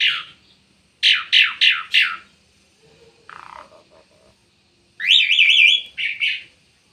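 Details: Bird giving a burst of four quick harsh chirps, a low buzzy note, then a wavering whistled warble followed by a short chirp, with silent gaps between phrases.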